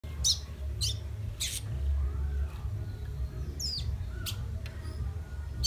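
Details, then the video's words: Young fire red from Guyana, South America, whistling: sharp high chirps that sweep downward, given singly about every half second early on, then a curled note and later isolated chirps over a steady low hum. "Young fire red whistling"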